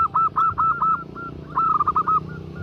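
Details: Female zebra dove calling a male in two loud quick bursts of clipped, ringing cooing notes, with soft background noise between.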